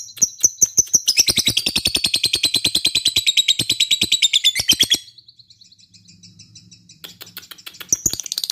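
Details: Fighter lovebird in "ngetik" style: a fast, typing-like run of high clicking chirps, about four per second for five seconds. A pause with a low hum follows, then the rapid chatter resumes.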